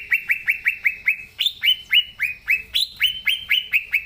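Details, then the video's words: Green leafbird in full song for coaxing young birds: a steady stream of clear, falling whistled notes, about three each second, with a few louder upswept notes mixed in. "Cucak Ijo Gacor Suara Asli Cocok Buat Pancingan Cucak Ijo Yang Belom Mopeng & Trotol"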